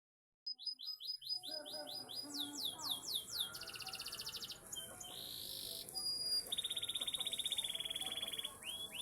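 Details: Panda-coloured canary singing a long, rapid song: series of descending sweeping notes, buzzy rattling trills and sustained high rolls, changing phrase every second or so, over a steady background hum.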